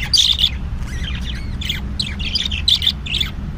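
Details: Budgerigar chicks calling: clusters of scratchy, squawking chirps in short bursts, several overlapping, over a rumbling low background noise.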